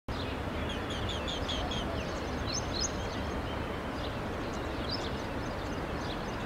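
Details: A relaxed Asian green bee-eater, preening in morning mist at Gurgaon, gives short, high, trilling chirps in quick runs over a steady low rumble.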